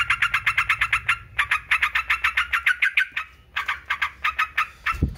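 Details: Rapid chattering song of a yellow-vented bulbul, used for training other songbirds: a steady stream of clipped, buzzy notes in three bursts with short gaps, ending with a low thump.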